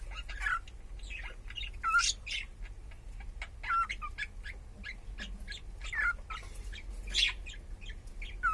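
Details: Pet cockatiel, its owner unsure of its sex, giving short, scattered whistled notes every second or two, mixed with sharp clicking and tapping sounds and a low steady hum.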